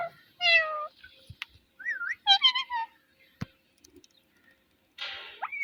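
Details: Pet parrot talking and mimicking: short clear whistled and voice-like phrases with rising and falling pitch, separated by silences, plus a few sharp clicks and taps.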